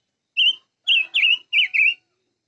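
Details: A five-coloured bird sings a steady whistled note followed by two pairs of rich, warbling whistles that dip and rise, with a faint low murmur beneath.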